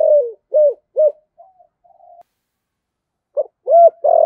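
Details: Giọng thổ style cooing from a spotted dove decoy bird: three short arched hollow coos, faint soft notes, then loud coos ending on a sustained note.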